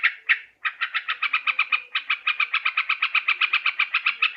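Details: Sooty-headed bulbul call played as a lure for catching birds: two opening notes, a brief pause, then a fast steady series of bubbly chattering notes, about five to six per second, with nothing else heard.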